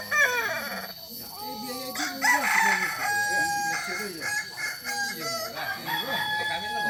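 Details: Kokok Balenggek chickens, a Solok, West Sumatra native breed famed for crows of three to nineteen or more tiers. Overlapping harmonic crows rise and fall in steps, with busy wavering calls from other birds throughout.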